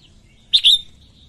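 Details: Female red-whiskered bulbul (chào mào mái) singing to stimulate males: one short, loud two-part whistled phrase, a sharp bright note followed by a warbled slur, then a faint trailing whistle in a quiet background.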